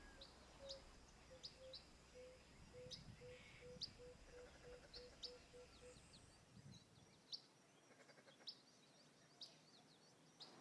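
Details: A shy Blue-spotted Wood Dove in residential gardens in Lilongwe, Malawi gives a relaxing series of soft, low coos that quicken and fade over about five seconds. High chirps from other birds sound throughout.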